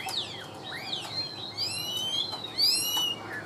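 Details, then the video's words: Chinese hwamei, a tame caged bird with an even, steady voice, sings loud whistled phrases that slide up and down between high and mid pitch, with sharp downward-swept notes near the end. "Siêu mỏ ra giọng rất đều - Họa mi đẹp hót hay"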